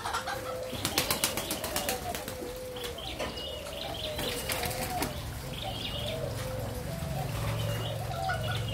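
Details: Spotted dove from a Malaysia-Thailand line, 27 September 2022. Repeated low, mellow coos run through the recording. Sharp clicking and flapping sounds come early on, and a low rumble of noise rises later.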